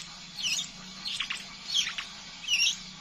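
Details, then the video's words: Scarlet minivet calling in ngeriwik style to encourage other birds to sing: four quick high notes, brief sweeping chirps spaced roughly half a second apart, with a faint background hum. "Suara burung sepah raja ngeriwik pancing burung bahan agar buka suara"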